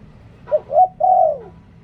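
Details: Spotted dove decoy bird in Liu Tan song style, one loud phrase of a clipped note, a rising coo and a long downward-curving coo, with low hum underneath.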